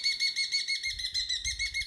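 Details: A crested barbet (Trachyphonus vaillantii) outside a house gives a harsh, buzzy alarm call at a spotted bush snake in a tree, rapid pulses about six to seven per second, rising and falling in loudness, with a faint low rumble behind.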